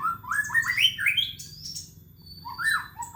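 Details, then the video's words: White-rumped shama (murai batu) singing loudly for use as a lure for birds at home: rising whistled slurs climbing in steps, a thin high held note, a brief pause, then more upslurred whistles. "Suara Murai Gacor suara Panjang COCOK UNTUK PANCINGAN BURUNG MURAI DI RUMAH"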